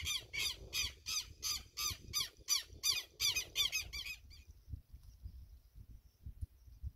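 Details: A Guira cuckoo (Guira guira) sings a rapid series of about a dozen harsh, high, squealing notes, nearly three per second, then falls silent, leaving faint low rumbling.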